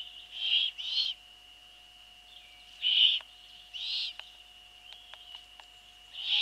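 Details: Nest of Eurasian eagle-owls on the evening of 28 April 2013, female arriving with a bird as prey and feeding her young: harsh breathy hisses in pairs and singles, with faint clicks and knocks between them and a constant background hum.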